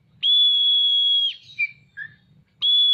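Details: Oriental magpie-robin spreading its tail while singing: one long, steady whistle held over a second, two short lower notes, then another whistle beginning, with faint low rumbling.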